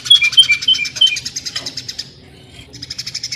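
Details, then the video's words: Greater green leafbird jamtrok tembakan song, the sewing-machine sound: rapid machine-like ticking with short bright whistled dashes, fading to a quiet gap, then ticking resumes. "CUCAK IJO JAMTROK TEMBAKAN SUARA MESIN JAHIT"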